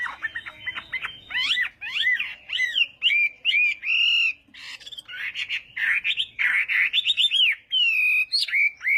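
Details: Chinese hwamei in morning singing practice, a mix of sharp downslurred notes and rougher calls giving way to repeated bright whistled phrases with short pauses.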